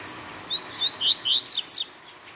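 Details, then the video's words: Double-collared seedeater, known in Brazil as coleiro tui tui, singing a fast song: six clear, sharp whistled notes in quick succession over about one and a half seconds, rising and sliding, the last ones higher and more emphatic; quiet background. "Coleiro Tui Tui rápido fora de série !!!"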